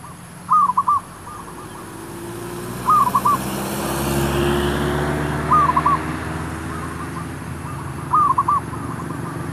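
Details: Zebra dove, locally merbuk, sung during luring of wild doves for trapping; brief trilled cooing phrases repeated about every two and a half seconds over steady low traffic-like rumble.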